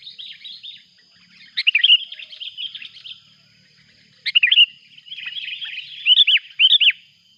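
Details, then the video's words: Loud, noisy sooty-headed bulbul calls used to lure birds as a rival comes near: clusters of fluty, chattering chirps and rising slurred notes in quick succession, with a thin constant tone in the background. "Suara buRung kutilang ribut memanggil!!!! lawan pun datang."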